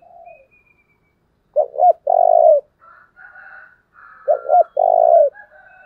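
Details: Spotted dove kept as a decoy to lure wild birds. It repeats a low cooing phrase twice, a few seconds apart: a quick double coo and a drawn-out vibrating note. Softer higher whistles from other birds fall between the phrases.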